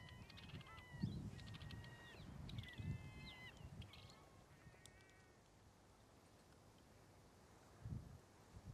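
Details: Young male Desert Wheatear in first-winter plumage among boulders by the beach at Little Porth Askin, St Agnes, Scilly, 22 March 2015, giving soft rambling subsong of thin whistles and short warbled phrases, gusts of wind buffeting.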